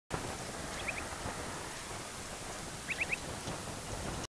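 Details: An Upland Sandpiper gives flight calls at 21:07 on 7 May 2015, just east of Amherst, Nova Scotia: two brief bursts of three quick, liquid, upslurred notes, about two seconds apart, over a steady rushing hiss.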